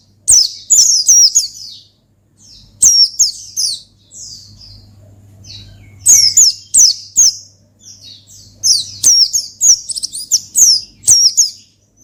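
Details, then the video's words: Oriental white-eye song used to call and provoke a rival: bursts of very high, thin, rapid chattering twitters in groups, separated by short pauses, with a faint low hum beneath. "Gacor Ngalas Manggil Lawan Perangsang Burung Pleci"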